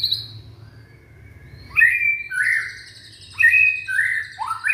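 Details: A young Indonesian white-rumped shama, heard as a singing lure for other shamas, gives loud slurred whistles in pairs, each swooping down, separated by short gaps.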